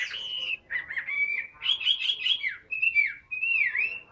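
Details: Large tame Chinese hwamei in a cage singing separate bursts of rich whistled phrases, some level and some dipping sharply, broken by short pauses.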